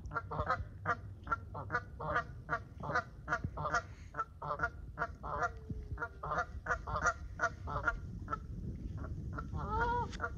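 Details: Male mute swan (cob) returning from his nest to greet his mate, giving rapid nasal honking calls several times a second throughout, with a low background rumble and a brief human voice.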